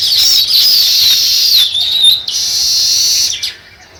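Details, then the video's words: Nest-building sparrows produce a steady wall of shrill, overlapping chirps for over three seconds, stopping abruptly before a quiet tail. "Sparrow Chirping Sounds | Sparrow start to Build Nest"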